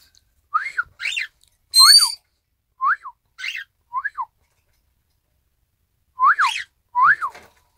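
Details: Isabel pearl cockatiel copying a whistled 'ppoiyo', 1 December 2018: short arched whistles and buzzy notes in quick succession, one higher drawn-out squeal near two seconds, a final pair after a pause.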